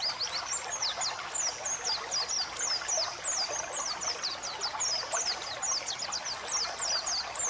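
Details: White-eye song for training pet white-eyes, set over running water meant to relax the birds: rapid high chattering twitters with quick downslurred notes, continuous over a steady rush of flowing water.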